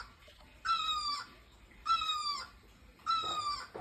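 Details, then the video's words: Bird chirping near bougainvillea in full bloom. Three drawn-out whistled notes, each sliding slightly downward and ending in a short drop, come about every 1.2 seconds over a soft background hiss. "Bird chirping"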